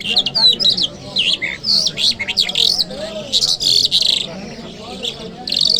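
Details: A lark called Jal Mashhadi sings in Kabul city on a Friday morning, pouring out a rapid, varied stream of high chirps, slurred whistles and buzzy notes with only short gaps.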